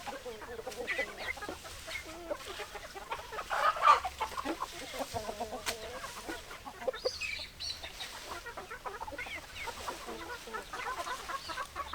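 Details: Hens cluck in a flock, with steady overlapping low clucks and a louder squawk in the middle, then softer chatter continuing over a low background hum.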